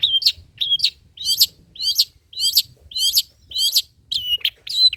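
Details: Long-tailed shrike singing old-style material, kept as lure and tutor song for other birds: harsh, looping scratchy notes repeated almost twice a second, some ending in short whistled slurs, steady and loud throughout.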